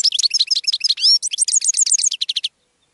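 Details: Continuous, fast goldfinch twittering, a tumbling run of high chirps and short slurred whistles for over two seconds before stopping abruptly.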